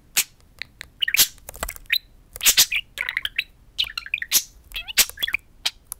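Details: Two pet talking budgerigars chatter to a mirror indoors, a busy stream of sharp clicks, squeaky warbles and buzzy chirps in quick irregular bursts.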